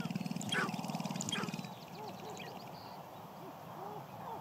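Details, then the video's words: Sharp-tailed grouse dancing at a spring communal lek in Idaho, males competing for hens: a fast, low drumming rattle of stamping feet for over a second, then short hooked cooing notes from several birds. "Sharptails Dance"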